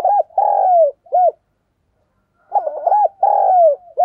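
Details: Spotted dove kept as a decoy bird, recorded directly, giving loud low cooing phrases: a short note, a long drawn coo falling at the end, then a brief clipped note, repeated after a pause.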